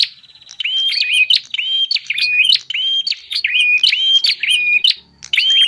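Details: Lure call of bar-winged prinia for wild birds: after a soft start, loud repeated chirped phrases of level whistles and sharp clicks follow in quick succession.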